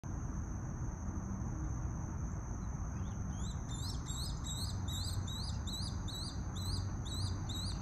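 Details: Adult Swallow-tailed kites, with a juvenile among them, preening during their morning routine; thin, high whistled notes repeat quickly, about four a second, over a steady high insect-like drone and low wind rumble.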